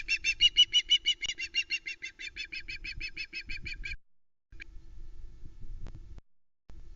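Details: Female osprey on the Loch Arkaig nest, 1 Sep 2020, calling around a live flatfish delivery by the male; about four seconds of rapid repeated high squealing notes, then near quiet with soft rustles and a low steady hum from the nest camera.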